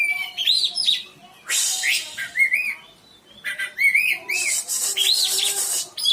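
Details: Oriental magpie-robin song used as a lure to get reluctant caged birds singing: rising and falling whistled slurs alternating with long harsh rasping bursts, with brief quiet gaps between phrases.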